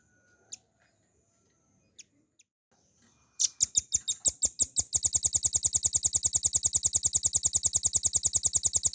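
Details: Velvet-fronted nuthatch singing in the ngebren style as a training recording for caged songbirds: scattered single ticks, then slow sharp notes that quicken into a fast, continuous, high buzzy rattle.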